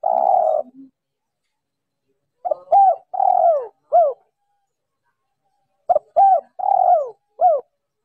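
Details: Spotted dove hen cooing to excite males: a long steady coo, then two phrases of short hoots rising into a longer downward-sliding note, soft and hollow in tone, with quiet pauses between.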